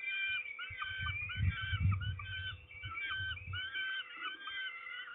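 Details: Peregrine falcons give harsh, wailing calls in overlapping series at a food delivery, recorded at Trzebież on 29 May 2019 around 13:44, with a steady low rumble of wind beneath.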